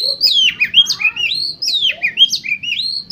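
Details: Contest Oriental magpie-robin song used to prompt rival caged birds into non-stop singing. Continuous, loud, rich whistles with looping up-and-down slurs, sharp high accents and short buzzy twists.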